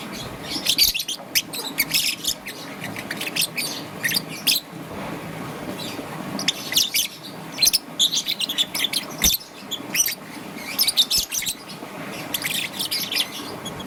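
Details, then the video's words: Young peach-faced lovebird, green and yellow, in the morning: irregular scratchy high chirps in short clusters spread across the recording, some softer stretches, and a faint low rumble throughout. "Relaxation of Lovebird's melodious chirping sound - Young Peach Face Lovebird - Green and Yellow"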